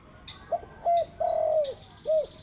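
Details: A spotted dove in the morning gives four low coos, the third long and gently falling, with faint high bird notes behind.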